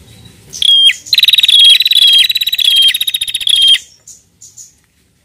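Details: A female bar-winged prinia, singing like a male, gives a fast, high, buzzy chattering trill for about three seconds, followed by a few soft, scattered notes.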